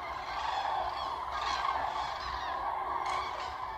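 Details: Many common cranes calling together on the Bodden meadows near Ribnitz, Germany, at a distance from a bike path; dense overlapping trumpeting chorus, a couple of short noisy bursts close by.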